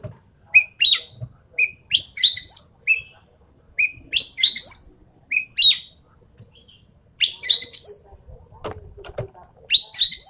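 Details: Javan pied starling voicing loud clear whistles and rasping, chattering phrases in alternation, with short silent gaps and a faint low rustle.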